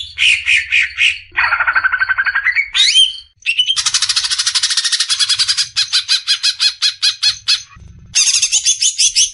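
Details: Rapid-fire besetan song of the greater green leafbird, meant for training caged birds: varied phrases of squawky notes, a lower buzzy stretch ending in a sharp upward sweep, then dense, high, rasping trills and bursts.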